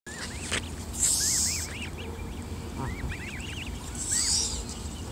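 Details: Mother goose hissing again and again near her goslings, who grow ever braver: two harsh, breathy bursts of noise about three seconds apart, set among many short rising-falling peeps from the young.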